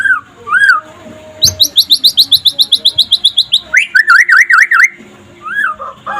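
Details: White-rumped shama of the pastol type singing in daytime, meant as a master to spur other shamas to sing: a rising whistle, a fast run of about twenty sharp repeated notes, then loud looping whistled phrases.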